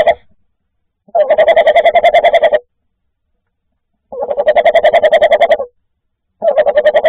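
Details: Tawny owl on 10 January 2024 giving territorial calls at night to claim its nest site: rough, quavering tremolos, each about a second and a half long, repeated roughly every three seconds in otherwise quiet surroundings.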